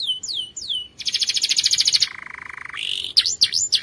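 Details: ['Training song of a canary: two descending whistles, then an intense high pulsed trill, a sustained lower rolling phrase, and quick V-shaped notes to finish.']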